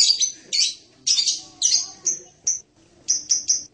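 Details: Shrill screechy phrases from a blue-crowned hanging parrot (serindit), followed by thin piercing whistled ticks, some repeated three times in quick succession.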